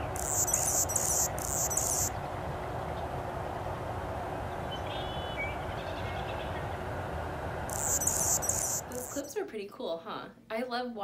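Anna's hummingbird gives bursts of very high, sharp, rapid chipping notes, two clusters separated by a pause, over a steady hiss; a person starts talking at the end.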